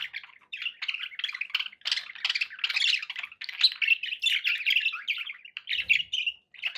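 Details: Captive budgerigars warbling steadily, a dense run of buzzy chirps and grating notes that carries on almost without a break, with a soft thump near the end.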